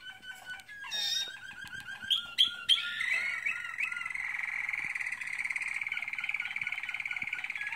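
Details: American Singer canary in training sings: a few sharp chirps, then rapid rattling rolls and bright whistled notes, ending in a long buzzy trill held for several seconds.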